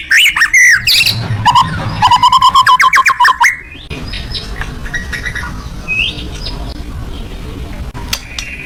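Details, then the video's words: Loud song of a white-rumped shama (murai batu): a bright whistled opening, then a rapid train of repeated clipped notes for about two seconds, fading into quieter broken phrases over steady background noise. "kicau burung murai batu gacor tembakan suara lantang"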